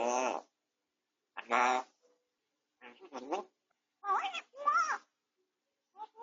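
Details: Pet grey parrot on medication for beak-tip pain, suddenly speaking while resting quietly, home-camera recording indoors: several word-like voiced phrases with rich harmonics, some gliding in pitch, spaced by brief pauses.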